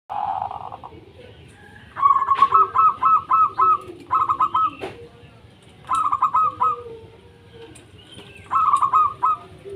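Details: Local wild-type zebra dove song, played to coax quiet doves into singing: clear bursts of five or six rapid stuttered, bubbling notes, repeated about every two seconds, over soft lower cooing and faint background hiss.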